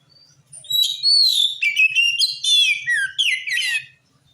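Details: Oriental magpie-robin (kacer) singing to draw answers from other magpie-robins: about three seconds of continuous varied song, clear whistles mixed with scratchy chattering and falling slurred notes, over faint low knocking.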